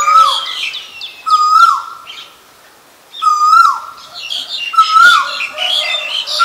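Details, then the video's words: Asian koel calling with four loud whistled notes, each rising slightly then falling away, spaced about a second and a half apart, while other birds chirp and twitter higher up in the background. "นกกาเหว่า (Asian koel)"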